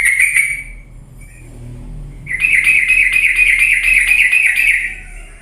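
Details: Yellow-vented bulbul lure song meant to spark singing in lazy birds: a short trilled burst, a quiet gap with a faint note, then a long bubbling chatter of rapid repeated notes.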